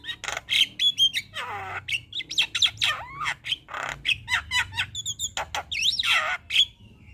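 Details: Javan myna singing vigorously in a full 'gacor' song packed with fill-in phrases: rapid mix of harsh squawks, clicks and bright whistled slurs rising and falling, with short bursts every fraction of a second and a faint low hum underneath.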